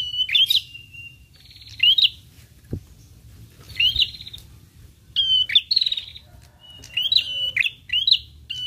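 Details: Prinia gives sharp, high chirps that rise and break, repeated in short bursts about once a second, with a faint low hum beneath; it responds quickly on hearing this lure sound; Prinia.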